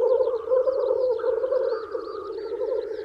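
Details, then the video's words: Male black grouse lekking in spring to attract females produce a continuous, gurgling, rolling coo at low pitch, with light, busy chirping from other birds overhead. "Black Grouse Lekking"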